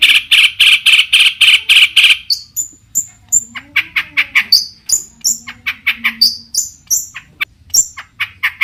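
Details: Long-tailed shrike singing to provoke other shrikes into answering: a steady run of harsh, raspy notes, then a quick mix of high whistles and scratchy chatter.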